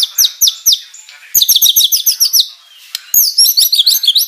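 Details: White-rumped shama singing imitated filler material: three high falling chirps, then a fast chattering string of high notes, a short pause, and another rapid high twittering run.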